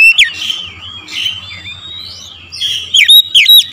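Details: Oriental magpie-robin lure song recorded in the morning: a few loud whistled notes at the start and a quick run of sharp downslurred whistles near the end, with softer distant chirping between.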